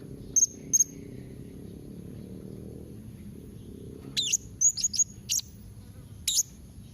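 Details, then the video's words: Blue-crowned hanging parrot calling to make other birds answer: two isolated high chips, a pause, then scattered sharper sweeping shrill notes and short trills toward the end, with low background noise. "Kombinasi Suara SERINDIT MEMANGGIL NEMBAK Mbeset Seperti ni Jadikan Srindit Anda Nyaut Tambah GACOR"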